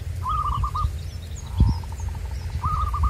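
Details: Indonesian local zebra dove linked to lure-trapping in the wild, two cooing song phrases of rapid staccato notes, with a softer dove-like trill between them, scattered thin chirps of other birds and a low thump with rumbling background noise.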